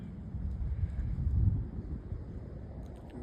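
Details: Low wind rumble buffets the microphone outdoors, with a faint muffled voice-like murmur and no clear animal call.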